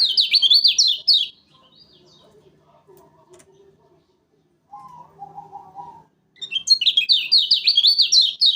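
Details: Lure recording of a Lombok lemon-bellied white-eye, a loud-voiced bird often entered in contests: rapid, shrill zigzag twitter for a second, a pause with faint low notes and a lower note series, then another fast high burst.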